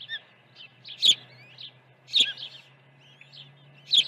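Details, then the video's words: Morning feeding at an osprey nest, Dunrovin Ranch, 1 June 2019: three strong, shrill chirps roughly a second apart, each followed by softer whistled notes, over a faint low drone. "Osprey Video_2019-06-01_082412- Early feeding"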